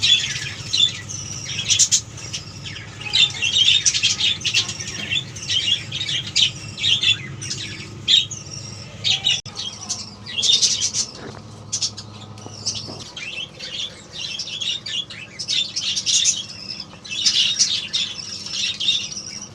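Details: Budgerigar; begging calls; young birds begging for food while being fed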